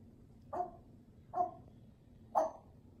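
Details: African grey parrot imitating a dog indoors, giving three short barks about a second apart, each a rough mid-pitched burst over a low background hum.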